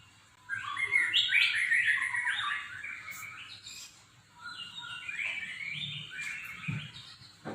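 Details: Kilo-style song of a caged white-rumped shama kept for contests, packed with unusual imitated sounds: quick runs of stepped whistles and chirpy slurs in two long phrases, moderately quiet, with a few clicks and a faint background buzz.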